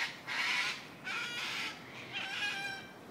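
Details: Harsh, grating screeches from wild cockatoos living around Sydney's Royal Botanical Gardens in Australia, three broad noisy bursts roughly a second apart, each fading quickly.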